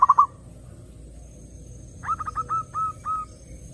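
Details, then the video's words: Zebra dove song played to draw in other doves: a brief loud tail of pulsed coos, then after a pause a quieter series of spaced, even cooing notes. "SUARA BURUNG PERKUTUT _JERNIH_💯AMPUH_SEKALI PUTAR SEMUA PERKUTUT LANGSUNG NYAMBER"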